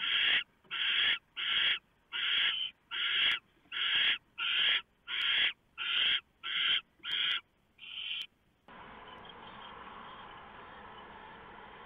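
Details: Barn owl at a nest as the male delivers a large mouse and the female shreds it for the owlets, November, 3:59 AM: rapid series of harsh rasping hisses, about eleven in eight seconds, then a steady broadband hiss.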